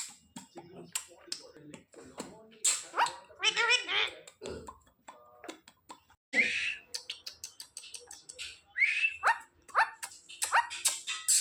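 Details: Pet Indian ringneck parakeet, trained by daily repetition, talking indoors: short raspy, nasal speech-like syllables and sharp clicks, with bright chirped notes near the end and a person's voice and laughter around it.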